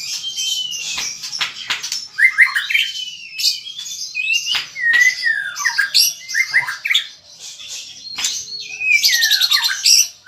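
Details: Caged white-rumped shama pouring out varied song: clear falling whistles, buzzy trills and harsh scratchy phrases, delivered in quick bursts with short gaps between them.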